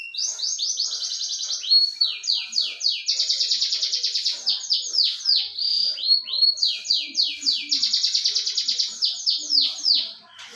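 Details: Canary singing a long high continuous song of rapid trills and swept notes, alternating fast buzzy rolls with descending slurred syllables, sustained for ten seconds.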